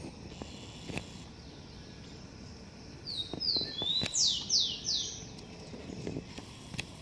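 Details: At a garden nest, a Blond-crested woodpecker gives a mid-clip run of about six shrill notes, first gliding, then steeply falling, evenly spaced. Scattered dry taps and clicks are heard before and after.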